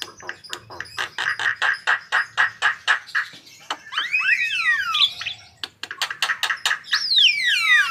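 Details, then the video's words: Lively white-vented myna song: rapid rasping notes broken by several slurred, descending whistles, then more harsh notes and a final falling whistle. "Suara Gacor Jalak Kebo"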